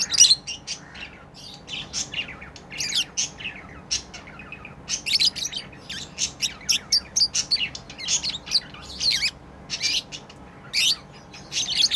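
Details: Playing pet lovebirds keep up busy, almost continuous high chirping: sharp squeaky notes in quick runs and clusters throughout, with only short breaks.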